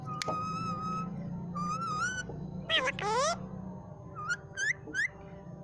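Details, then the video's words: Pet green parrot in Pakistan, trained by the owner's mother to say "mian mithu" and "Allah ho": clear whistled tones, then gliding voice-like syllables and three short rising chirps, over a steady low hum. "My parrot saying mian mithu Allah ho"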